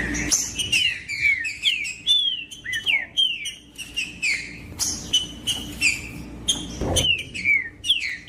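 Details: Trinca-ferro, the green-winged saltator, in song meant to get other birds singing: bright whistled phrases of slurred, bouncing notes repeated almost every half second, with a soft knock near the end and a constant low hum beneath.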